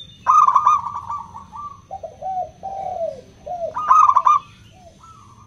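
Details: Indonesian local zebra dove with clear crystal tone, played to prompt other doves to sing: a trilled coo running into a long level note, then several short downward-curving coos before the phrase repeats.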